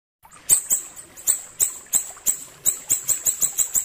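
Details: Ashy tailorbird song recorded as tutor material for training songbirds: sharp, very high ticking notes repeated about three times a second, starting spaced and speeding up toward the end, with no other clear sounds.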